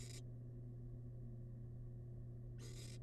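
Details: A tiny wild barn owl chick feeding on rabbit remains in a nest box gives two rasping hiss bursts, one at the start and one near the end, separated by a quiet stretch of low steady hum.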